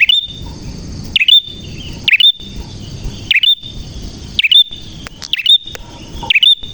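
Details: Prinia calling busily, voice clear: a string of sharp, hooked chirp notes repeated just over once a second, each with a short trailing whistle, set against a steady high hum and low noise.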